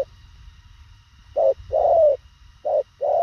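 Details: Spotted dove, thổ khàng type, cooing fast and concisely. About a second of quiet comes first, then two quick coo phrases, each a short note followed by a drawn-out, gently descending hoot.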